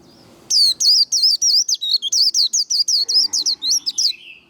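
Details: White-eye delivering líu đấu song to stimulate and train singing: after a brief quiet moment, a fast series of sharp, high, looping twitters, roughly four per second, ending in a lower slurred note.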